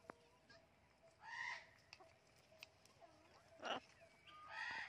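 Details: Harsh, grating squawks from a talking blue and gold macaw having fun in a garden; three loud calls spaced over four seconds, one shorter and noisier than the others, over faint background hiss.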